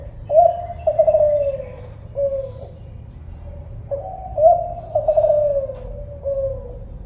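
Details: Tekukur Kelantan, a spotted dove, repeating its phrase twice: quavering, gently falling coos led by a short note and closed by a softer, even coo, all mellow and low.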